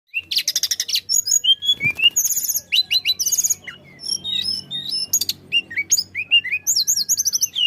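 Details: Flycatcher (tledekan) singing energetically, used to prompt other birds to sing; fast buzzy bursts, high thin whistles and rising and falling notes in a dense, varied stream, with a short low thump near the two-second mark.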